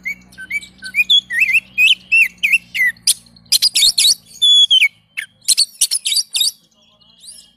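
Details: Oriental magpie-robin (kacer) pouring out a rapid series of rising whistled slurs, then dense harsh chattering bursts and a long clear falling whistle, with a low hum beneath the first half.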